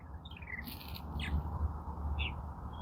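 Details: At least four Purple Martins at a backyard nest-box setup on about April 18, later than usual, give a few gurgling, descending chirps and brief warbled notes over steady wind and handling noise.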